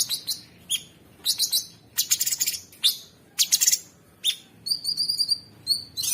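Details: Sooty-headed bulbul, called cucak sungkok, in a masteran recording of harsh 'ngebren' filler for champion birds: quick chattering chirp bursts repeated roughly every half second, ending in a run of thin level whistles.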